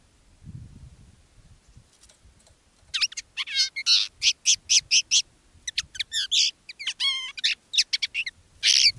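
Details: Decoy common linnet singing live in its own style: after a quiet start, a dense six-second run of sharp chirps, buzzy twitters and a short descending whistled phrase, delivered in quick succession.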